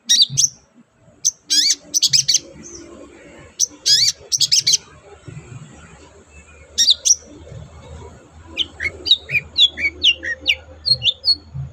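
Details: Long-tailed shrike song, used as a lure to get reluctant captive shrikes singing: scattered high chirps and sharp notes in bursts, then a quicker series of thin falling notes near the end over a low background hum.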